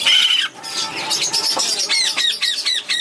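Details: Young black-headed caique chick in a shop, still being hand-fed at around six weeks, May 2011; a brief squawk and voices first, then a quick series of shrill, downward-sliding squawks.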